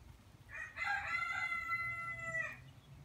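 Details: Rooster giving a more distant crow, a rough opening rising into a sustained harmonic note lasting about two seconds, set against steady low background rumble and noise.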